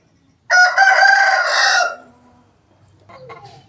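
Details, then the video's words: Aseel rooster crowing: one loud, harsh, harmonic-rich crow lasting about one and a half seconds, strong at the start and easing slightly before breaking off, followed by faint low rustling and clucking sounds. "Asil Rooster Sound Effect |Aseel Roosters crowing Compilation | aseel murge ki awaaz"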